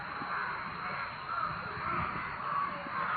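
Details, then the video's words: Loud noises from a crowd of crows, many harsh caws blending into a thick continuous din with no single bird standing out. "காக்கா இப்படி கத்துனா ஏதாவது ஆபத்தா???-Crowd crows making loud noises"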